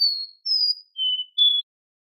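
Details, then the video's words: Short bout from a captive Copper seedeater, four clean whistled notes at alternating pitch, the last one sharply attacked, then silence. "Canto do coboco lino ( Sporophila Bouvreuil )"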